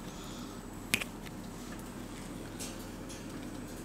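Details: Quiet indoor background hiss with a single sharp snap-like click near one second and a few soft rustles, with no animal voice heard.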